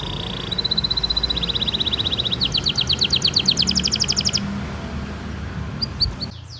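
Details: Canary song for teaching young birds to sing: a buzzy tone leading into a fast even trill, then loud rapid rolling notes for two seconds, followed by a quiet pause and faint chirps, with background hiss.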